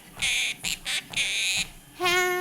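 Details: A pet Quaker (monk) parakeet perched on a treadmill while its owner walks gives four harsh, raspy squawks in quick succession, then a clearer, more tonal note, while the owner faintly sings Happy Birthday underneath.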